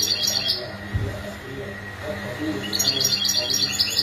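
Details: Goldfinch calls meant to encourage males to sing and break their silence: a short burst of bright, high twittering notes, a pause, then a quick run of evenly spaced tinkling chirps, with a constant background hum.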